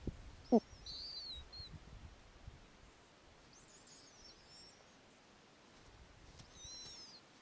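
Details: High, thin squealing notes from snowy owl owlets in an Arctic nest on a summer night when their mother comes back with a lemming; eight young of mixed ages; a sharp knock opens, then wavering squeaks come in three separate bursts.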